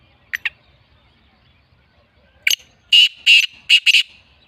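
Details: Black francolin (Francolinus francolinus), a kept bird, gives two soft clicks, then a loud, harsh, grating phrase of five rasping notes over about a second and a half.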